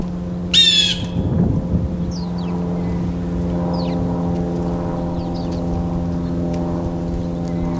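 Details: Blue jay outdoors, recorded in real time: one brief, harsh, ringing squawk near the start, then low rumbling noise and a few faint, thin chirps from other birds.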